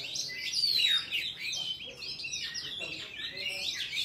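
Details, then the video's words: Oriental magpie-robin in forest-style song meant for teaching young birds: high, scratchy twitters and a clear descending whistle, repeated in quick bursts about three per second, softer toward the end. "Chòe than hót giọng rừng cực phê"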